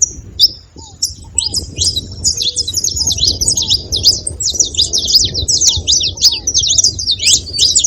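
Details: Several saffron finches twittering together: continuous busy, high, buzzy chirps that grow denser after the first second, over a steady low rumble and a few faint low whistles.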